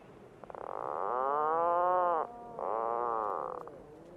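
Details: Puffin calling: a long, drawn-out nasal groan with a rich harmonic tone that dips slightly, a short pause, then a second groan that rises and falls before fading out.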